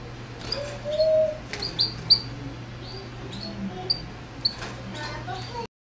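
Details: Russian crested canary giving short, sharp high chirped notes in scattered bursts, with a lower drawn-out whistle near the start, over a steady low electrical hum and faint clicks.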